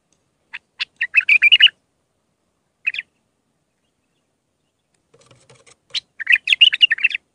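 A bulbul gives two bursts of rich, bubbling, warbled notes in the mid-high range, with a brief chirp between them. A faint low knock sounds just before the second phrase.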